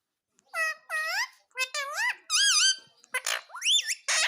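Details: Pet Indian ringneck parakeet talking, mimicking the word "mummy": a string of rising-and-falling, nasal, voice-like syllables in short bursts, indoors.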